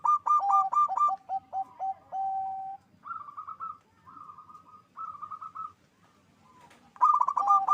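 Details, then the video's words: Loud local zebra dove singing to stir mating drive: high trilled notes over lower clipped coos, a long sustained low note, several bubbling high bursts with pauses, then a sharp loud phrase returning at the end. "Perkutut lokal GACOR suara besar NAIKAN BIRAHI."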